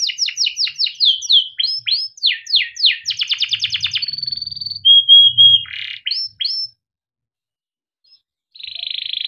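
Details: Song of a male yellow canary, used to teach young canaries: a run of quick descending whistles, a rattling trill, a flat clear whistle, buzzy notes, then a two-second silence before a final buzzy roll.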